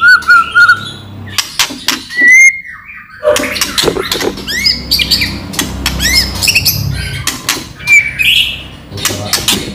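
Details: White-rumped shama singing to provoke other shamas into answering: a mix of clear whistles, quick rising sweeps and harsh chattering, uneven in rhythm, over a low background hum.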